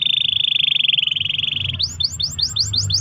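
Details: Long-roll canary song used as a lure for other canaries: a steady pulsing trill for almost two seconds, then a run of rising chirps repeated quickly, over a low background rumble.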